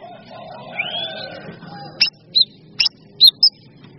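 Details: Cucak cungkok song on a training track that also features kinoi and kapas tembak birds. It opens with a rising whistled glide, then short sharp high chirps at irregular intervals, over a low background hum.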